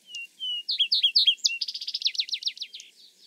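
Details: Vesper Sparrow song from eastern North America, lower than a Song Sparrow's: two long, clear whistled notes, then a few quick downslurred phrases, ending in a rapid, fading trill, with no other sounds.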